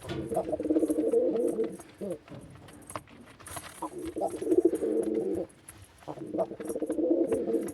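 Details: Male white pigeon cooing: low, rolling, throaty burbles in bursts of one to two seconds, separated by short pauses, with faint rustling and scratching in the background.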